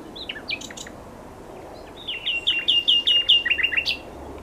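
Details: Common nightingale singing: a few scattered sharp high notes, then a fast run of about eight repeated whistled, downslurred notes ending in lower chirps and a high flourish, over a quiet background.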